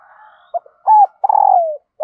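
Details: Female dove cooing to excite the male: a short low note, a steady coo, then a long rolling coo that glides down in pitch, with faint earlier cooing at the start.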